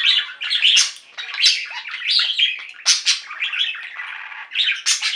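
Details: Pet budgerigar flock in song: a steady chatter of scratchy warbles, clicks and bright chirps from several birds at once, with loud bursts about every second.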